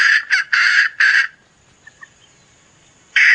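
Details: Hen calling in a run of four loud, harsh, harmonic bursts, then near silence with a couple of faint peeps, before another loud burst begins at the end.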